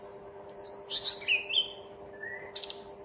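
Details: Mountain tledekan (Sunda robin) giving a brief phrase of high falling whistles and lower slurred notes, a pause, then a soft rising whistle and a burst of sharp chips, with a low hum in the background.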